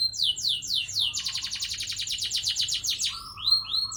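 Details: Canary in a long rolling song: quick falling slurred notes lead into a fast, even, high trill lasting about two seconds, then more descending whistles and a low steady note.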